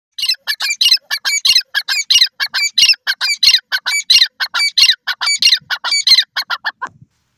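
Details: Grey francolin (teetar) calling: a fast, steady run of harsh, squawking notes, roughly 91 per minute and closely spaced, lasting about seven seconds with no other clear sounds.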